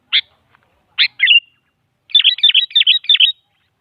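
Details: Sooty-headed bulbul played as a lure to set a quiet bulbul answering, presented as a female calling a male: two single sharp notes and a short trill, then a fast run of five buzzy double chirps.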